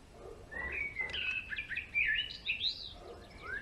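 A male European greenfinch sings a quick run of bright twitters and short trills, rising and falling in pitch, over faint background hiss.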